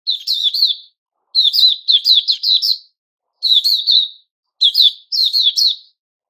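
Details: White-crowned shama in its season of new feathers, September 2021; clusters of sharp, high chirps and rapid tweeting notes, several quick phrases tumbling together, then pausing before the next burst.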